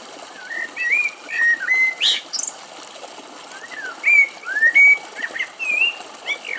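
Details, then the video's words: Common blackbird in brambles at a woodland edge in Greece, singing mellow, fluting whistled phrases that slide up and down, each ending in a thin, high squeaky twitter, with short pauses between phrases. "Κελάηδημα Κότσυφα - Blackbird Song"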